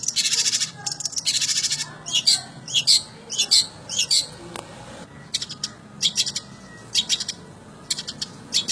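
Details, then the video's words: Long-tailed shrike performing 'materi jadul', an old-style song material: clusters of sharp, high scratchy notes in uneven bursts, several per second, separated by brief pauses. "burung cendet materi jadul"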